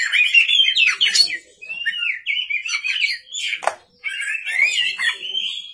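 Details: Oriental magpie-robin singing hard at night: fluty whistled slurs and twittering runs, broken by a brief pause and one sharp click.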